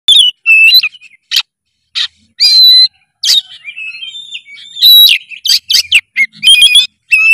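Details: Oriental magpie-robin (kacer) in energetic, full-voiced song: loud varied whistles, sharp upslurred notes and rapid chattering phrases, bursts separated by short pauses.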